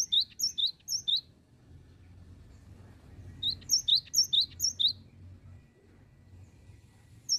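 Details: Gelatik batu, or cinereous tit, in 'bocor oworr oworr' song: short runs of sharp two-note whistles, high then lower, four to six pairs each, separated by quiet gaps, over a faint low hum.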